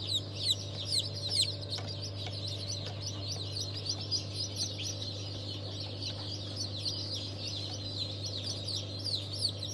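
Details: Chorus of freshly hatched chickens of several breeds, among them Fizan, Legbar and İspenç, hatched 27 March 2023. Many shrill, falling peeps overlap without pause over a constant low machine drone.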